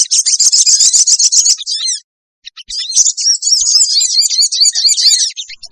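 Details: Lure recording of sooty-headed bulbul meant to gather wild birds fast: a long, dense, rapid chattering trill of high notes, a short gap, then another extended scratchy chatter.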